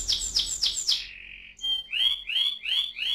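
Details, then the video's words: Rolling (ngerol) canary song meant to encourage young canaries to sing: quick high down-slurred notes, then a brief sustained whistle, followed by a series of bright, arching repeated notes. "KENARI NGEROL COCOK UNTUK MANCING KENARI MUDA AGAR NGEROL"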